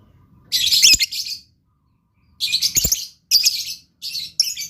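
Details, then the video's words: Blue lovebird singing actively (gacor): bursts of shrill, buzzy chattering, each about a second long, separated by short silences, with a few quick notes near the end. "LOVE BIRD GACOR"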